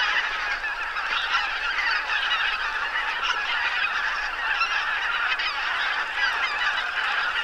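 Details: Late-autumn lake crowded with about 2000 wild geese, mostly greater white-fronted and bean geese alongside a few barnacle geese; steady wall of countless overlapping honks and cackles, with no pause and no single bird standing out.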